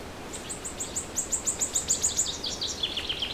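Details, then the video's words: Bird singing in the morning: a rapid run of thin, very high notes, about three to four each second, slipping lower near the end, over soft background hiss. "Cute bird's singing video..🐦 morning video."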